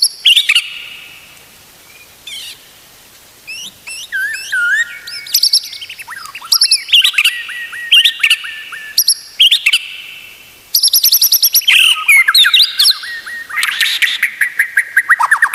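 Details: White-rumped shama singing as a tutor recording for other shamas: quiet start, then varied whistled phrases, rapid repeated chips and dense trills growing fuller toward the end.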